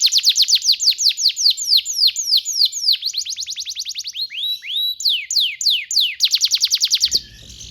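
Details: Canary singing constantly as a tutor for young canaries: long chains of quick descending whistles, a few rising slurs, then a fast burst of repeated notes ending abruptly with a soft thump.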